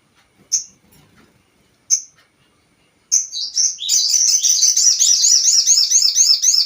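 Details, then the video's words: Crested jay call used as a lure to provoke other birds: a few short high chirps, then a dense, rapid run of high, wavering notes repeated about twice a second. "Pancingan burung sogon"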